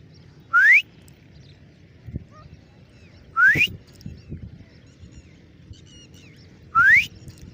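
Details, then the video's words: Grey francolin (irani teeter) repeating a loud, clear whistle that sweeps steeply upward, three times about three seconds apart, with soft low thumps and a little distant talking between calls. "Gray Francolin ||gray Francolin sound|| irani teeter ki awaz"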